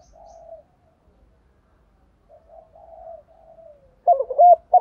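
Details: Spotted dove hen kept as a lure, calling males in the morning: quiet muffled low coos for several seconds, ending with a sudden loud burst of clipped wavering coo notes.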